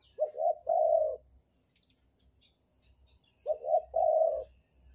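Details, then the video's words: Spotted dove of the Banten type used as a lure sound to attract other doves: two low, mellow cooing phrases, each a short note followed by a longer rolling coo, repeated after about three seconds over faint low rumble. "suara pikat derkuku banten super ampuh untuk pancingan"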